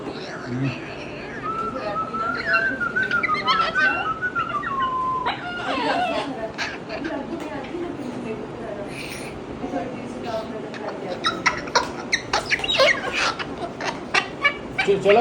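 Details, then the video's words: Moluccan cockatoo kept as a pet gives a long, wavering whistle that slides up and then falls away, followed by clattering household noise and brief chatter. "Max ki whistle"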